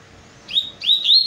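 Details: Double-collared seedeater delivering two short bursts of high, clear whistles: a brief rising slur, then a longer warbled phrase of rapid linked notes, in a quiet setting.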